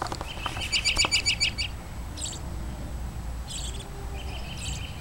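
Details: American robin singing in Woodlawn, Tennessee, on 13 March 2008: a fast run of high, bright chirps, then short clipped phrases after pauses, over a steady low rumble of wind or traffic.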